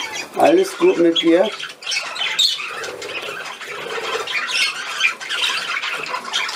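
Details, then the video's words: Budgerigar playing, 13 December 2019, after a short spoken German phrase at the start: steady high-pitched warbling chatter with sharp squeaks, softer and fainter toward the end. "Der Wellispielfilm"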